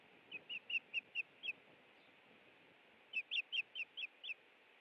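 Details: Osprey at its nest at Hellgate, Montana, on 30 April 2017 in the afternoon, during a meal of a headless fish: two runs of six sharp, whistled chirps, repeated about every quarter second, over a steady hiss.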